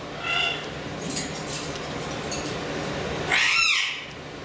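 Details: African grey parrot chicks in a nest box, hatched and reared by their parents; a brief harmonic squawk early on, then a louder, rasping, harmonic call near the end, over a steady background hiss.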